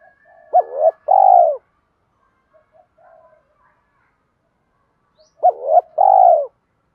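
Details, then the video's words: Lure cooing of a spotted dove in 'đồng pha' style, meant to draw wild doves. Two phrases about five seconds apart, each a short hooked note then a rich, low, falling coo, with faint murmurs between. "chim cu gáy giọng đồng pha gáy gọi bổi nhanh về"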